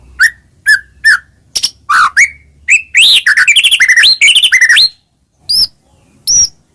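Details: Song of a white-rumped shama used to stimulate other shamas: spaced whistled notes building into a dense rapid trill of varied slurs, then a pause and two high clipped notes.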